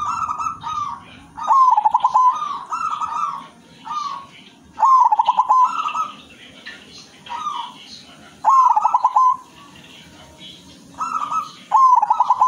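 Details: Perkutut, a silver zebra dove, in full 'manggung' song with a luxurious rhythm: soft coos lead into quick trembling, rolling coo phrases, repeated about four times over a low background hum and faint chirping.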